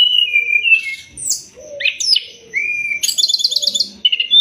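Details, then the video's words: Sumatran leafbird song used as a training recording for songbirds: clear whistled notes at varied pitches, slurred upward and downward sweeps, and a rapid buzzy trill of repeated notes near the end. "Masteran burung SRDC biar cepat gacor"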